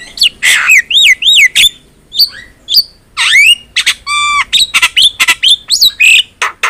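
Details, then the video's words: Javan myna pouring out gacor tutor song: looping wavering whistles repeated in pairs, a buzzy nasal rattle, then a fast run of squawks and slurred whistles. "MASTERAN JALAK KEBO GACOR"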